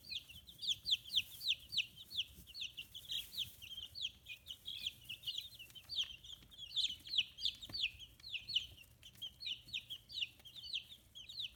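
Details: Rapid, nearly nonstop peeping from a flock of fifteen-day-old chicks on a small free-range farm in Japan, high sweeping notes repeated several times a second, loud and even throughout.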